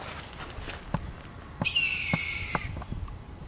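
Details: Red-tailed hawk family of four circling above an owl's nesting grounds, calling and screeching. A loud, raspy, descending scream of about a second, amid footsteps and soft thumps nearby.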